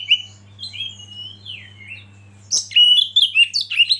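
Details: Soft drawn-out whistles from an Oriental magpie-robin, then at the midpoint a sudden loud burst of rich chirps and whistles, over a steady low hum.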